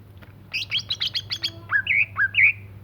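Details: Greater green leafbird singing energetically: a quick burst of sharp, high chirps followed by two rising-then-flat whistled notes, with a steady low hum underneath.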